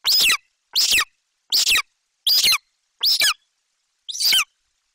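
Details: Excited golden eagle youngster in a Bucovina nest tree, summer 2021, loudly vocalizing before eating magpie prey from its mother; six harsh, piercing screams with falling tails, spaced about three-quarters of a second apart.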